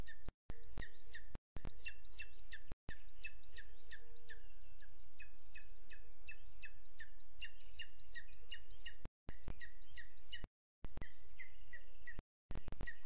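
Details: Booted eagle via webcam in Sierra de Guadarrama National Park, early morning 12 June 2022: steady series of clear, falling whistled pips, roughly three per second, continuing for about ten seconds before dropouts and fainter notes.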